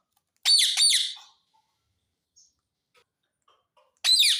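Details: Indian ringneck parakeet kept indoors: two harsh, buzzy squawks close together, then a third after a pause of nearly three seconds, in a quiet room.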